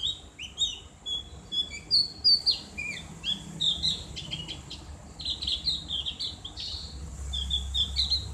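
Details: Javan grey-throated white-eye, also known as cak gentong, singing a clear ngriwik tutor song for caged birds. Continuous high, twittering chatter with rising and falling whistled slurs, loud and busy throughout, over a low background hum.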